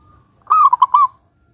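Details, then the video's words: Local zebra dove in full voice with a big 'kung' sound, used to prompt other doves to sing: a single low rounded coo phrase of about four quick pulsed notes, the last one drawn out, over near silence. "Perkutut Lokal GACOR Suara Kung Besar Pancingan Burung Perkutut Agar Bunyi."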